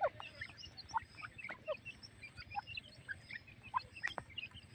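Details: Titar, or partridge, from a breeding pair with chicks while the female feeds; brief clucking and chirping notes come every half second or so, some dropping in pitch, with faint rustling behind.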